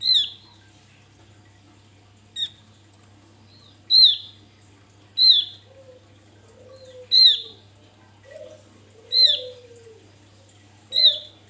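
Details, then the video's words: Male Javan grey-throated white-eye in strong song, used to lure birds: a run of sharp high descending notes about every 1.5 seconds, with low sliding whistles in the second half. "Opior jawa buka paruh ngalas Untuk pancingan"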